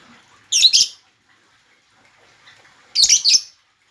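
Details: Lovebird giving two loud, grating, doubled screeches about two and a half seconds apart, with near silence between them.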